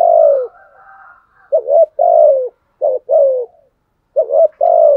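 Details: Hoarse, low coos from a decoy spotted dove used to stir up other doves: a long falling note, then pairs of a short wobbling note and a longer descending coo, repeated with short gaps.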